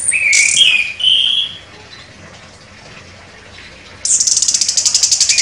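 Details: Chestnut-capped thrush (anis kembang), a contest champion, singing sharp whistled phrases, then after a pause a fast, regular high rattling trill of about a dozen pulses.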